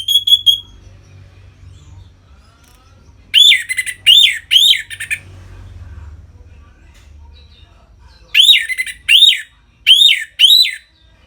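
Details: Orange-headed thrush performing 'ngeplong' song to provoke captive birds into breeding condition: a drawn-out whistle, then separate groups of three to four loud, rising-and-falling whistled notes, each group spaced by several seconds of quiet.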